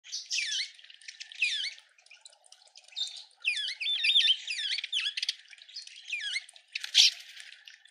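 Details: Red-winged starling in a suburban garden in Pretoria, South Africa, giving bursts of high, squeaky notes, many sliding sharply downward, packed into quick clusters with short pauses between them.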